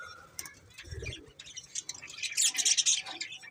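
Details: Several budgies give a run of high, rapid, scratchy chirps that grow louder and denser toward the end, with a brief low thump near the start.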